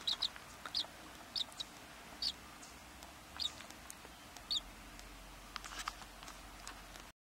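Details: Tree swallow chicks in a nest box, about three to five days after hatching, give tiny high squeaky cheeps, single or paired, every half second to second, with faint rustling between.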